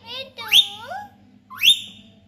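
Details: Pet parrot talking: a harmonic speech-like phrase with bending tones, then a sharp rising squeal, followed by a second rising, whistle-like syllable, over a faint steady low hum.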